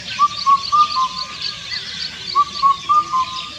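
An Indian cuckoo whistles its four-note phrase twice, the last note dropping slightly, over a steady hiss of insects.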